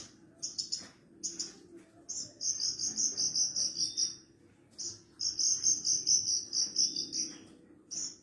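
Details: Javan bush lark song used as a tutor recording to train other larks: bursts of high, buzzy, rasping trills, some held for about two seconds, separated by short pauses over a low background hum.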